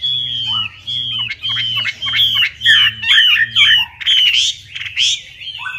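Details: Lure song of a Chinese hwamei for birds gone quiet: a series of strong, clear whistled notes repeated roughly every half second, then rougher, rising squeaky phrases at the end, over a low buzzing hum.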